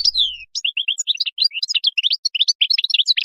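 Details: Goldfinch (European) wild song for training young birds: opens with a descending slurred whistle, then a quick series of clipped chirps building into a rapid sparkling twitter.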